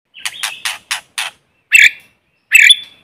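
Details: White-rumped shama, a decoy bird singing to provoke rivals, in forest: five dry broadband clicking notes, then two short, rich warbled phrases after a pause, with no background noise.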